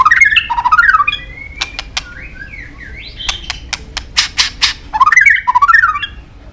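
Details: White-rumped shama training song with long varied phrases and clicks: bubbling zigzag whistled runs, dry clicking notes and slurred whistles, then the bubbling run again.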